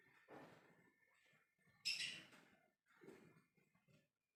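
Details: Lovebird giving its ngekek call to draw replies from other birds: one loud, harsh, high shriek in the middle, with softer rustling and faint chatter before and after.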